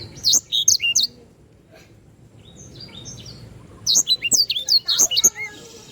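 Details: Canary singing as a tutor song for caged birds: a few quick, loud high chirps, a quieter lull with faint twitters, then another bright burst of rapid sweeping notes.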